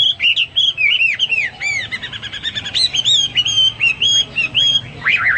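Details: Energetic Hwamei song, a nonstop stream of rich, ringing whistles that curve up and down, with rapid warbled flourishes and a final high twisting phrase, all clear against a quiet background.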